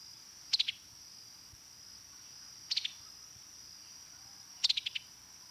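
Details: Summer Tanager giving its typical staccato "pi-tuk-i-tuk" call note in three quick, clipped, chattering bursts about every two seconds over a steady high hiss; the call lengthens when the bird is agitated.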